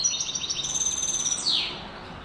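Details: European goldfinch, a caged clean-singing tutor bird, singing a rapid run of high twittering notes with liquid trills, ending in a downward buzzy slur.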